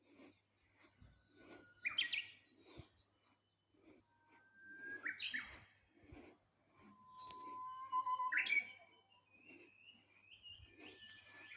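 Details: Song of a Japanese bush warbler: a sustained pure whistle leading into bright, rising, slurred notes. Other birds twitter and chirp around it, and a soft low hum is present.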